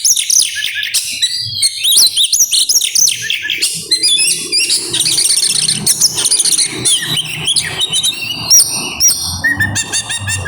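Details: Oriental magpie-robin singing in grabakan style, a rapid, continuous outpouring that brings out mimicked isian phrases: dense high whistles, trills and buzzy notes tumbling over one another without pause, some phrases repeated in quick stuttering bursts.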